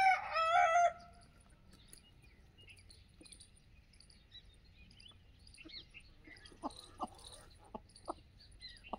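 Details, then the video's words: An Aseel rooster on a free-range desi poultry farm gives the loud, hoarse tail of a crow lasting under a second, then quiet with scattered clicks, knocks and faint small-bird chirps. "असील की आवाज"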